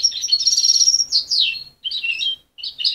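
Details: A mother-reared young goldfinch mule, separated at 23 days, still learning: a rapid twittering burst, then a downward-sweeping phrase and two short chirpy fragments split by brief silences.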